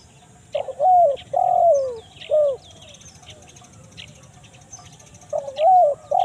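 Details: Spotted dove call in the 'kuk 1 mersik' style, a lure for attracting wild doves in the forest: three clear coos close together, a long gap with faint chirping, then two more coos.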